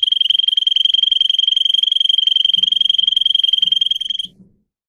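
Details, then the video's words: Training song of a canary: a fast, evenly pulsed high rolling trill lasting about four seconds before stopping abruptly, followed by quiet rustling noises. "Kanarya Sesi, Kanarya Ötüşü eğitimi"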